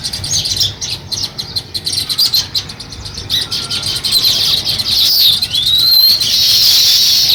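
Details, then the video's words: Sparrows starting to build a nest, with rapid repeated chirps over a steady high-pitched hiss. A smooth whistled glide from another bird rises near the end. "Sparrow Chirping Sounds | Sparrow start to Build Nest"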